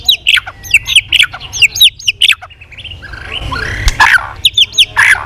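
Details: White-rumped shama, singing competitively with many voices: rapid series of short downslurred chips at a steady pace, a brief rough buzzy interlude, then the chips resume.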